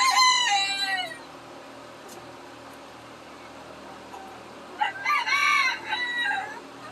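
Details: Farm chickens, excited at feeding time on seeing the keeper, give loud, harmonic squawking calls in two bursts in July, the first about a second long and another about two seconds long after a quiet pause.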